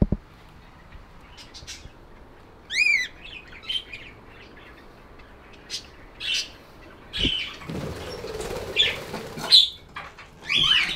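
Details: Budgies calling in short separate bursts, sharp rising whistled chirps and scratchy chatter with quiet pauses, plus a brief rustling noise in the middle.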